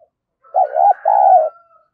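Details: Decoy spotted dove cooing in the 'thổ thúc gù' style to draw in wild birds: a two-part low coo, a wavering first note then a longer smooth one, with a faint thin whistle running over it.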